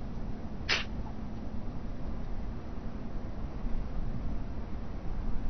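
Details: White stork, a nesting adult on a webcam on the Alcalá de Henares town hall tower, Spain, at night while brooding chicks, gives a single short, husky cough, a brief rasping burst, over a steady low rumble.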